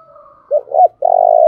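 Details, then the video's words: Decoy spotted dove calling to attract wild doves: a faint hum, then two short throaty coos followed by a long, steady, loud drawn-out coo. "Tiếng chim cu mồi thúc sung"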